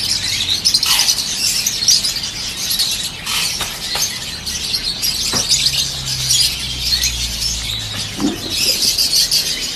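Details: Yellow and standard peach-faced lovebirds calling constantly in a shrill, busy chorus of overlapping high twitters, with occasional sharp clicks and a low hum in the background.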